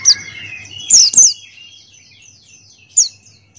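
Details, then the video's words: Buxtoni white-eye in vigorous song: bright, high descending chips in a close pair near the middle and single sharp notes at each end, over faint thin whistles. "Masteran Pleci Buxtoni Ngalas Buka Paruh"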